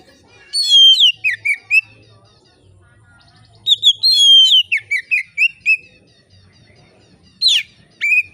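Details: Clear-voiced oriental magpie-robin singing relaxed but vigorously, a song for provoking other magpie-robins to sing: two long bursts of varied whistles and short warbled notes, then two sharp rising-falling notes near the end.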